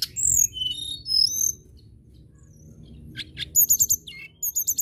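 A common tailorbird sings high, sharp whistled notes, slurring up and down, then rapid bursts of five quick chips repeated after a short pause.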